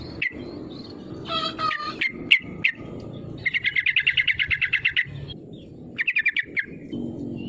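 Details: Yellow-vented bulbul used to draw rivals into singing: scattered chips and a harsh burst, then a long rapid rattle of about fifteen even notes, followed by a shorter quick trill.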